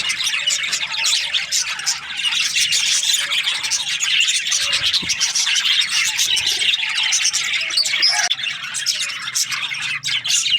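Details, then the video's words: Several budgies chirp in the morning, their busy, high, warbling chatter running without pause, with sharp clicks and squeaks scattered through it. "Amazing budgies chirping sounds in the morning"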